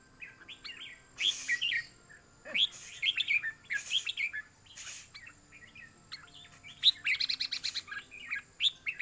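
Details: Red-whiskered bulbul singing at a competition where notes are counted: short warbled phrases of bright whistled notes, several birds calling in bursts, with broadband clatter and faint background hum.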